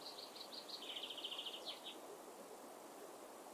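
Great spotted woodpecker nestlings give a rapid, high chittering chorus of short notes that runs together for about two seconds, then fades into soft background hiss.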